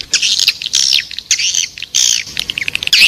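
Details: Swiftlet lure sound in the Raja Liur Emas style, meant to draw swiftlets to a bird house: harsh buzzy high-pitched chatters in drawn-out phrases, separated by quick clicking notes.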